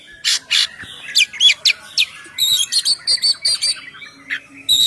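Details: Kacer (oriental magpie-robin) ngeplong song, meant as a lure to get birds singing; scratchy bursts and twisting whistles, then a regular run of about eight bright high chattering notes.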